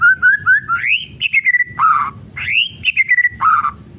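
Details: White-rumped shama kretekan song, used to rouse other murai batu: a few soft low whistles lead into a rising swoop, clipped staccato notes and a low warble. The full phrase is delivered twice in four seconds.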